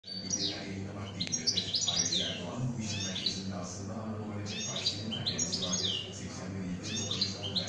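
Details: Kept European goldfinch singing in the şak şak style: a dense, fast twittering run of high, bright chirps and trills that sweep up and down, nearly continuous for the full length, over a steady low hum.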